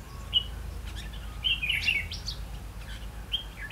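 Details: Red-whiskered bulbul used as a trapping decoy, 8 October 2016: one brief whistled note, then a tumbling cluster of bright warbled notes, then a final short whistle, over low rumbling background noise.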